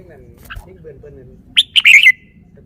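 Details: Caged red-whiskered bulbul showing off its song phrasing: a quiet start, then a loud burst of bright, rapid whistled notes that slur downward and end in a short trailing whistle. Faint low warbling sounds in the background.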